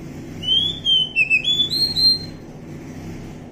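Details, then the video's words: Kacer hutan, a wild Oriental magpie-robin, whistling a clear phrase of drawn-out notes that dip and rise in short steps over low steady background noise. "suara asli kacer hutan"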